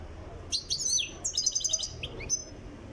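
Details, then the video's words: Goldfinch from Tiaret, Algeria, being prepared for singing: two short bursts of bright, high twittering with liquid trills, followed by a couple of softer rising notes. "تغريد مقنين تيارت"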